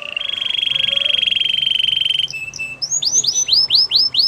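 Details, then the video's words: Spanish Timbrado canary song opening with a long, fast, metallic rolling trill, then a brief lower note, then a run of bright whistled notes that rise and fall, repeated about four times a second. "Spanish timbrado singing"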